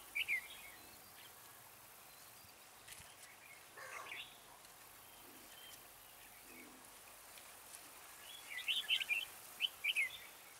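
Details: Red-whiskered bulbul used as a trapping decoy, singing to lure birds. A short chirpy phrase opens, then a quiet stretch with soft rustles, then a burst of several lively warbled notes near the end.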